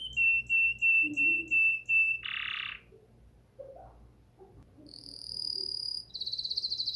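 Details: Bulbul singing: five clear, evenly spaced whistled notes on one pitch, then a short harsh burst, a quiet spell with soft low notes, then a high thin whistle and a quick pulsed trill.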